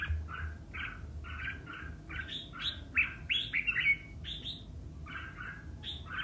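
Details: Competitive song of a red-whiskered bulbul: rapid repeated liquid phrases, then a burst of brighter, higher whistles and chattering notes, then the steady phrases again, over faint low noise.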